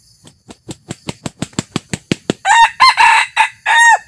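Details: Red junglefowl decoy rooster, new and taken out for the first time to lure wild junglefowl. About ten short soft clucks come in a quickening run, then loud, hoarse, broken crow phrases follow in quick succession.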